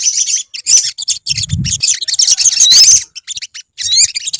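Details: Olive-backed sunbirds singing as a colony: dense, high, thin chirps and quick twittering notes with short rising and falling whistled slurs, in busy overlapping bursts broken by brief pauses, plus a faint low rumble.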